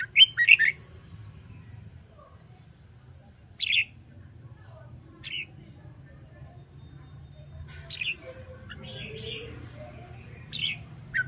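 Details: Red-whiskered bulbul practising competition singing: a short, lively warbled phrase opens, followed by scattered single chirps and brief notes every second or two against a soft low hum.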